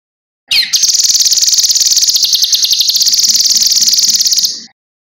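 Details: Cucak kinoi singing in a recording meant to train other birds. A short sweeping note leads into a long, rapid, high-pitched buzzy trill of about four seconds. A soft lower pulsing sound is heard underneath.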